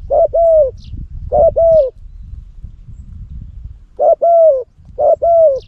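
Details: A spotted dove used as a lure bird in Cambodia gives two paired coo phrases, pauses for about two seconds, then gives two more. Each phrase is a short note and a drawn-out coo, with faint chirps overhead.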